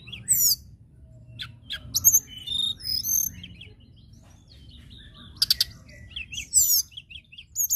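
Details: A local common tailorbird gives high, sharp chirps and quick twittering phrases in scattered bursts, some notes rising or sweeping, over a faint low hum; the song is used to stimulate other birds.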